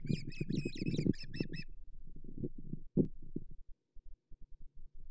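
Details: Osprey calling at the Hog Island nest, 8 May 2023, during a failed fish delivery: a quick burst of about six sharp, high chirps over heavy low rumbling and knocking, then scattered nest noises.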